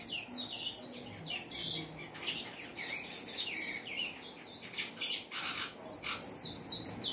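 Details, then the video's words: Saffron finch singing: high chirped phrases early on, then mixed with harsh broadband rattling bursts and scratchy sounds toward the end. "canário da terra cantando muito"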